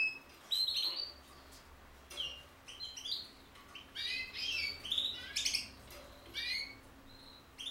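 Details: Linnet x canary hybrid bird from 2018 delivering twittering song: clusters of sharp high chirps, rising whistles and rapid trilled notes in uneven phrases, with a soft background hum.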